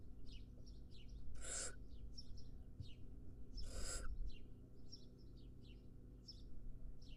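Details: Wild barn owl nestling, standing tall, gives two loud rasping hiss-screeches about two seconds apart, while thin, falling chirps of small birds repeat throughout over a constant low rumble.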